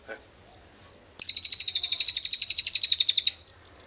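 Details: A cililin, recorded as fill-in song for luring magpie robins, gives a sharp onset then a two-second high, fast, evenly pulsed buzzy trill before falling quiet.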